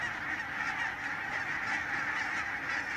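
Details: Enormous barnacle goose flock near Stoomgemaal Nijkerk, Netherlands, giving a thick, unbroken wall of short, barking honks from countless birds at once, with no pauses.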